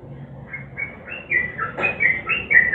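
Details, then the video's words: Sooty-headed bulbul singing nguklik-style, used as a lure so silent birds join in: a short sequence of clear, slurred whistles, each note rising or falling, growing louder toward the end over a faint low hum. "Trucukan GACOR NGUKLIK kombinasi GARUDA yang BISU pasti IKUTan bunyi"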